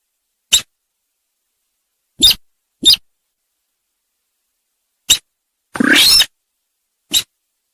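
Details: Sintar sawah lure call for trapping birds: sparse, clipped dry clicks spaced a few seconds apart, with one longer rasping, churring call near the end. Silence between notes.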